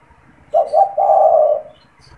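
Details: A single low coo phrase from a caged spotted dove used to attract wild doves for trapping: two quick short notes, then a long, steady coo lasting about half a second, over quiet background.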